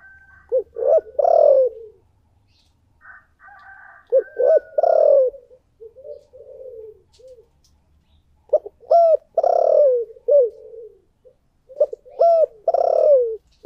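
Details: Spotted dove decoy cooing in the 'thổ' voice across several phrases. Short notes, held coos and long purring downslurred coos repeat every few seconds. A faint low hum is heard early and a brief higher tone sounds midway.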